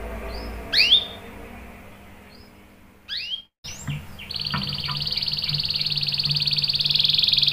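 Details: Canary in full voice, played to lure other canaries into answering; a few swooping chirps and short notes, then a steady buzzy high trill that grows louder and holds to the end, with low hum beneath.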